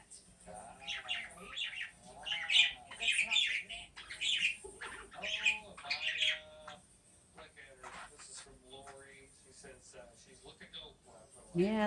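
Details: Budgerigar (Melopsittacus undulatus), Ace, a 6-month-old male, chirping in bright, scratchy bursts one morning in June 2019, having finally found his chirp, with a person talking softly between bursts.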